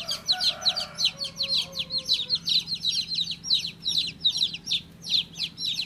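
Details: Baby chick giving steady, sharp downslurred peeps, roughly two to three per second, with a faint low hum in the background.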